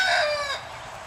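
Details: Turkey kept on a farm outside Edmonton, Canada, filmed close up: one loud harmonic call with a gently falling tone, fading within about half a second into quiet farm background.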